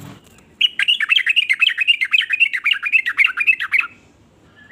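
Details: Yellow-vented bulbul song of mixed note types, used to provoke other bulbuls into singing. One dense three-second outburst of rapid, jumbled, chattering warbles sits over faint low background noise.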